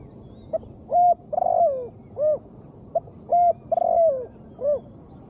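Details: Female spotted dove calling, used to prompt lazy birds to sing: two cooing phrases, each a short soft note, a clear coo, a longer burred coo falling at its end, then a rounded closing coo.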